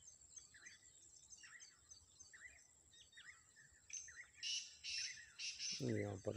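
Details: A black francolin calling during an early-morning forest walk, with several calling nearby: a harsh, grating series of loud clicking notes, with soft chirps from small birds before it and a man's voice at the end.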